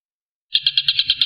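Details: Short burst from a Tengkek Buto (collared kingfisher): after silence, seven crisp, high, evenly spaced notes follow in quick succession, each a bright clipped chip.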